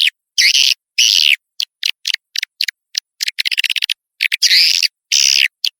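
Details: Swiftlet lure sound meant to attract the birds: long buzzy churring notes alternating with short clicks and a quick stuttering rattle.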